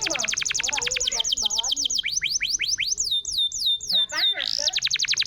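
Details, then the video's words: Lure song of a canary, meant to restart a bird that has stopped singing. A fast rolling trill leads into rising sweeps, descending slurred whistles and a final bright trill. "SUARA BURUNG ,PANCINGAN KENARI MACET‼️ GACOR"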